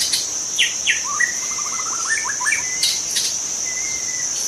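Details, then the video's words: Young wild white-rumped shama in forest delivering sharp downslurred notes, a rapid rising stuttered trill and long flat whistles, with a constant high-pitched insect drone behind. "Kicau murai muda hutan"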